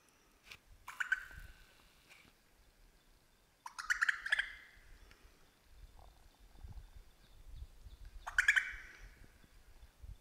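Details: Superb lyrebird singing in the Australian bush, mimicking other birds such as crow, kookaburra and magpies; loud ringing bursts of song near one, four and eight and a half seconds, separated by quiet stretches with low rustling.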